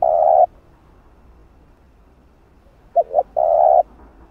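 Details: Spotted dove call meant to stimulate and train a decoy bird. A long low coo ends one phrase. After a silent gap comes a pair of brief hoots and another drawn-out coo.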